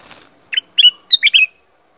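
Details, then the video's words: Black-crested bulbul, locally called kutilang emas, giving a short phrase of bright whistled notes, some rising and some slurred downward, in two quick groups within about one second, with a soft rustle before it. "Kutilang Emas. Black-crested Bulbul call and song."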